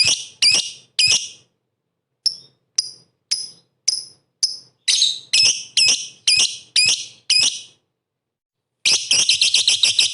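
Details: Lovebird used as bait to make rival lovebirds sing: harsh chattering notes, then a run of clipped falling chips about two per second, more rough chatter, a pause, and a fast buzzy stutter.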